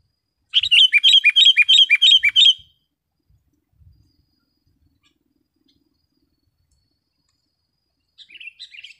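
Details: Sooty-headed bulbul, a recording for training caged birds and calling wild ones: a fast, regular run of about ten bright repeated chirps over two seconds, then quiet with faint low knocks, and chattering notes near the end.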